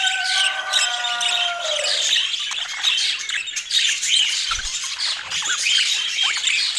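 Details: A budgerigar flock twitters steadily in high, scratchy chatter. A smooth, lower sustained tone is heard over the first two seconds, then fades.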